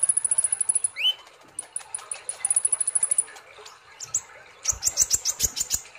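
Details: Sunbird, locally called kolibri ninja, singing in a lively, chattering style. Very high, rapid strings of sharp ticking notes come in bursts, broken by a single rising sweep, with a harsher stuttering burst of high notes at the end.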